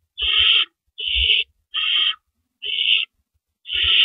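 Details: Owls at the nest before dawn, April 4, 2012, during rabbit deliveries; loud raspy hissing screeches of about half a second repeat five times with short silent gaps, plus dull low thuds.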